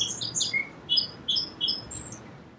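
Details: Song sparrow song fragment: a run of separate, high, clear whistled notes with small pitch jumps, repeated at a steady pace and fading toward the close.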